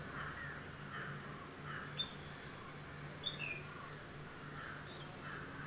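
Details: A bulbul in a home balcony garden gives soft, slurred chirps about once a second, with a couple of sharper, higher notes, over a steady low hum.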